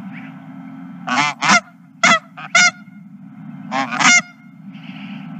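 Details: Geese at a ranch on 31 March 2023 calling in short bursts of two or three loud honks, separated by brief quiet gaps, with a low constant rumble behind.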